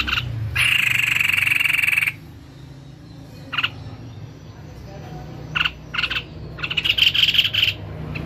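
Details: White-necked babbler singing actively: a loud, harsh, buzzing burst about one and a half seconds long, then short separate chips and a quick stuttered run of rasping notes over a steady low hum.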